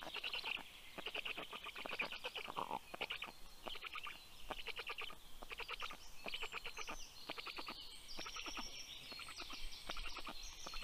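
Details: Black stork nest in Karula National Park, Estonia, 6:06 am, 19 June 2023, female arriving with breakfast for the chicks; pulsed rasping bursts fading out, then high whistled songbird notes taking over toward the end.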